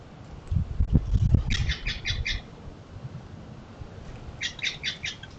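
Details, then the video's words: Western bluebird calling at a feeder alongside American goldfinches: two brisk bursts of four to five scratchy, buzzy notes each, with low bumping and fluttering noises early on. "Sky Bar: Western Bluebirds and American Goldfinches"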